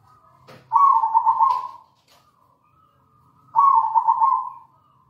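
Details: Local zebra dove in full song, a recording meant to lure other doves into cooing: two loud rolling phrases of rapid, even, mid-pitched pulses, about three seconds apart, with faint clicks and soft background cooing.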